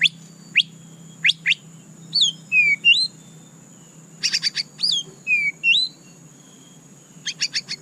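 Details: White-rumped shama (murai batu) song: quick upward chirps, then slurred, looping whistles and bursts of rapid, buzzy stacked notes, in bright phrases broken by short pauses. A steady high-pitched whine runs throughout.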